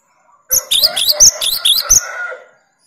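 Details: Cinereous tit delivering a 'tembakan' shot to challenge rivals: a fast run of seven bright, ringing, high chirps in about one and a half seconds, each note sliding downward, on a quiet background.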